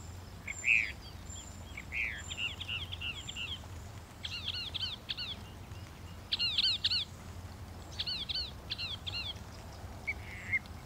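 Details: Northern mockingbird singing softly at some distance, with clusters of quick chirped notes repeated in groups and pauses between, over a low background hum.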